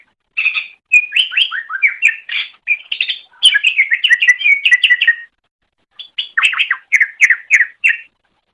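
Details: Song of a greater green leafbird, used for training other songbirds: continuous lively phrases of sliding whistles and rapid chattering notes, one brief gap, then more descending slurred whistles.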